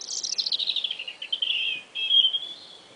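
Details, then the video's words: Springtime singing from a robin: a fast run of high chirped notes stepping gradually downward, followed by a sustained bright whistled phrase and a softer tail. "Beautiful relaxing song of the Red Robin."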